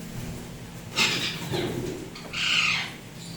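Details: Two rasping screeches about a second and a half apart from a tame pet Indian ringneck parrot of turquoise blue or turquoise blue harlequin colour, over a steady low hum.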